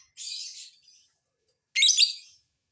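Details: Lovebird calling on a lure recording to prompt others to answer: one drawn-out hoarse buzzy chatter, a pause, then a louder, sharper rasping burst.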